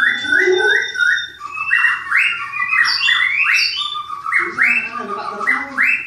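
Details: White-rumped shama kept for breeding in Klaten, Indonesia, repeating rising and falling whistled phrases in loose sequences, clear and ringing, with lower harmonics under the notes.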